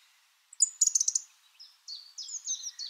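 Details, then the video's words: A song thrush sings a quick burst of five or six high, sharp repeated notes, then a pause and a run of thinner, chattering phrases, with no other sounds. "Song Thrush Bird Sound"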